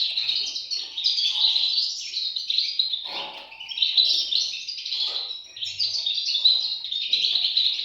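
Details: Chorus of European goldfinch chicks, a continuous high-pitched twitter of rapid squeaky notes piling over one another, steady in loudness with small dips.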